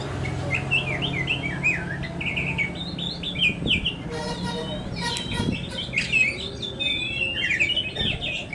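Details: Kacer poci type of Oriental magpie-robin giving wavy, looping whistled phrases, then a burst of sharp rapid clicks and harsh notes around the middle, followed by more bright slurred whistles over a steady low hum.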